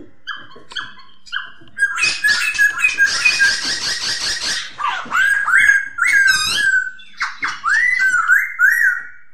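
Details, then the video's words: A masked laughingthrush (poksay hongkong) opens with a few soft notes, then a dense harsh chattering burst, followed by clear rising and falling whistled phrases. "Poksay terapi suara poksay,hongkong"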